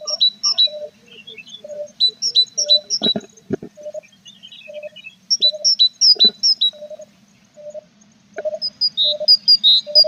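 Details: Nest box of tits with a mother and feathering chicks, 21 April; clusters of high, sharp paired notes come in bursts, separated by quiet spells, with scattered knocks and a constant low hum.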